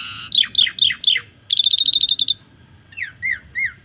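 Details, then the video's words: Asian pied starling singing on a training recording for young birds. Four falling slurred whistles are followed by a fast rattle of clipped notes, then a few soft, rising-and-falling whistles. "Masteran Jalak Suren Pemula Biar Gacor Dan Banyak Isian"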